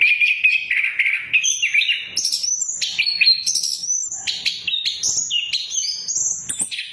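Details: Anis kembang, the orange-headed thrush, in a lure recording for birds gone quiet: opens with a warbling mid-high phrase, then races through varied shrill whistles and chirps in an unbroken, rapid flow.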